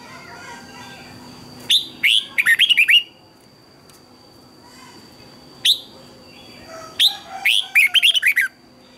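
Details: Morning song of a red-whiskered bulbul, meant for training other birds: a lone sharp note, then a quick chirpy phrase of twisted double notes, another single note, and a second longer warbled burst, with a thin steady high tone behind.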